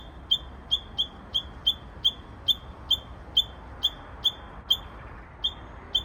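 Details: ['Japanese bush warbler giving an odd, perhaps unpractised song: rapid series of about fourteen short, piercing high notes with a sharp falling onset, roughly two per second and slightly irregular, against faint background noise.']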